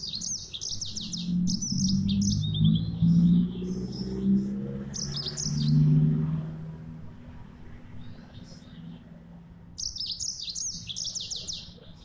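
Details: Yellow-fronted canary in full song: short bursts of high, rapid twittering and warbling notes at the start, near three seconds and again at the end, over a steady low rumble and hum.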